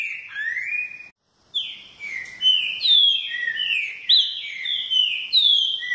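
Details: Repetidor-style green-winged saltator song: a rising whistled slur, a brief gap, then a string of loud falling and level whistles stepping between high and middle pitch, tightly repeated.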